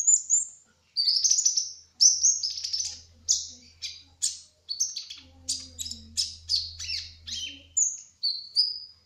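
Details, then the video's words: Brown-throated sunbird, known locally as kolibri ninja, a speckled (trotol) bird in vigorous gacor ngerol rolling song: a run of high thin whistles and sharp chirps, some sliding down and others rising, with short pauses and a faint low hum behind. "Kolibri Ninja Trotol Gacor Ngerol : Singing Hummingbird"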